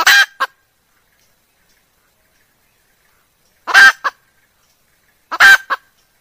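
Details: Wild female junglefowl voice used by hunters to attract cocks and hens. Three separate raspy phrases with long silent gaps, each a loud rough burst framed by short notes; no other sounds.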